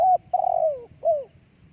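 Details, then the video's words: Spotted dove giving live coos, intended for luring other doves through a speaker. A brief note, a long wavering coo that slides downward, and a final short falling coo, all clear over faint low background noise. "เสียงนกเข้าใหญ่ขันสดๆ เอาไว้เปีดล้อนกต่อหลือไว้ต่อด้วยลำโพง"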